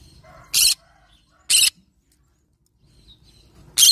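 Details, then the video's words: Yellow-sided green-cheeked conure parrot calling in loud, harsh single screeches, each short and noisy, repeated roughly once a second, with faint low background hum between them. "Yellow sided Green cheek conure parrot sound"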